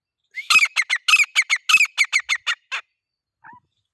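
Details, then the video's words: A male grey francolin gives one loud phrase: a rising squealing note, then about a dozen rapid harsh, ringing syllables, then a soft lone note after a pause. "Teetar ki awaaz/ Teetar ki boli/ Teetar voice/ Teetar sound"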